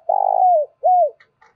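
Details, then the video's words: Decoy spotted dove with a 'thổ' voice, used to bring in wild doves. A long burry note slides down, followed by a clear arched coo, with faint higher chirps just after. "Chim Cu Mồi/ cu gay kich boi nhanh noi gù"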